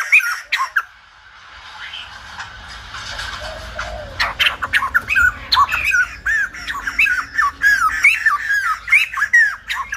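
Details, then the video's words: Silver-headed babbler singing a fast, rambling run of harsh, squawky notes, bending and slurred, about two or three a second, mixed with sharp clicks and knocks. "Khướu Đầu Bạc / Silver -headed Babbler / Singibg like aLumba Dancer"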